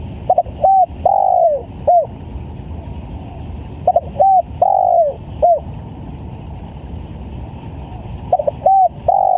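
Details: Spotted dove calling vigorously as a lure: repeated phrases of a stuttered double coo, a longer coo trailing downward and a short final note, about every four seconds, over a constant low rumble.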